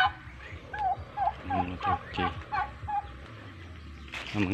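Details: Separated male turkeys on a farm give a run of short, bouncing calls, many in a row, with a person's voice and a sudden loud clatter at the close.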